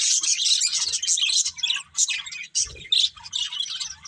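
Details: Chattering budgerigars from a breeding pair: rapid, scratchy high-pitched chirps and twitters, loud and continuous at first, then broken into shorter bursts with a brief low thump midway.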